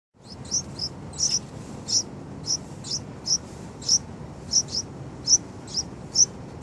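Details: Baby Yellow-vented Bulbuls calling: high, thin chirps, often in quick doubled notes, repeated roughly every half second over a steady low background hum.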